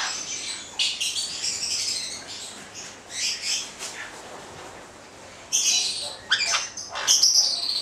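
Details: Two male white-bellied caiques of the subspecies xanthomeria give harsh, shrill screeches in scattered bursts, with a short quiet gap before a livelier run of rasping squawks near the end.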